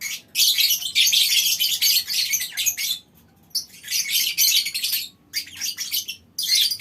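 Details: Aviary lovebird colony chattering in extended ngekek runs: two long, dense stretches of shrill, scratchy calls, each lasting about two to three seconds, with a brief quiet break between them.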